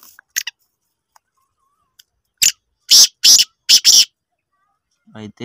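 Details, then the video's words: Black francolin calling: a burst of five harsh, grating, broadband notes packed into under two seconds, each note loud and rasping, preceded by faint clicks and followed by a low buzzy harmonic sound. "kala teetar awaz | Pure shidi teetar |Teetar ki awaz"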